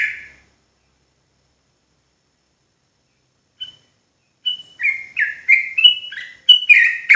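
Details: Sooty-headed bulbul, the Javanese trucuk, singing in rapid ropel style after a pause: a run of short falling whistled notes near 2–3k, several per second, growing busier toward the end.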